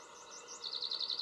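A brief fragment of chaffinch song: a fast run of bright, high repeated notes that grows louder in the second half, over faint background hiss.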